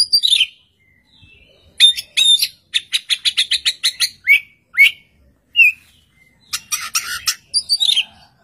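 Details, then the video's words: Oriental magpie-robin singing hard from one perch, setting off an answer from another magpie-robin; a rapid series of sharp clicking notes, clear whistled slurs, then buzzy rasping phrases, separated by brief silences. "kacer gacor satu titik nembak bikin kacer lain langsung nyaut"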